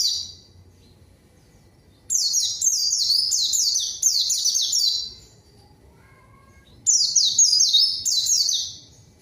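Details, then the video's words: A white-eye sings a lure that challenges a rival, which responds and sings along: long runs of rapid, high, descending whistles, a two-second burst, a pause, then a shorter run. "PANCINGAN PLECI GACOR MANGGIL LAWAN PLECI BAHAN LANGSUNG RESPON DAN IKUT BUNYI"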